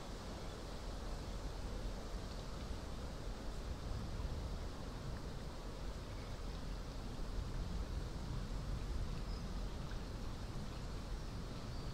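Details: Steady low rumble of rain and wind through the forest, with no animal calls standing out.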